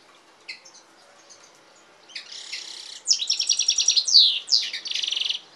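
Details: European goldfinch and canary hybrid singing: a few scattered soft notes, then buzzy chattering phrases building into fast rattling trills and bright high twitters with sliding notes, ending in a rapid even trill.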